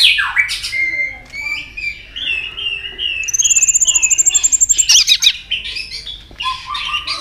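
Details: White-rumped shama singing a rival-provoking song with many voices: a swooping whistle, a chain of mid-pitched slurred notes, then a long very high rapid trill and sharp chips.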